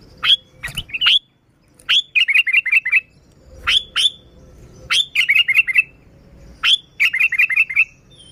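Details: Sooty-headed bulbul song used to lure other bulbuls: sharp rising notes followed by quick runs of short chirps around mid-high pitch, repeated phrases roughly every one and a half seconds, clean background.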